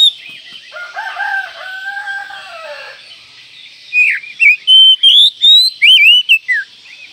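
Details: Kacer, or Oriental magpie-robin, singing: soft, drawn-out lower notes are followed by a fast run of loud, bright, twisting whistles, some sliding up and others dropping steeply.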